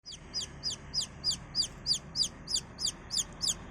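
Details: Baby chicken chick peeping steadily: a dozen sharp, high, downward-slurred peeps about three per second, evenly spaced over a low background hum.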